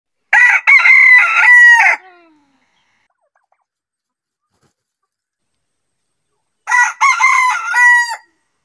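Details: Rooster crowing during the day: a loud, harmonically rich crow of about 1.7 seconds with a rising then level, slightly wavering shape, followed by silence and a second similar crow some five seconds later.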